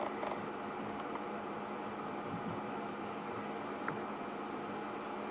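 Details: A steady broadband hum and hiss fills the recording, much like a running fan or idling engine. Only a few faint clicks break it, and no clear animal voice stands out.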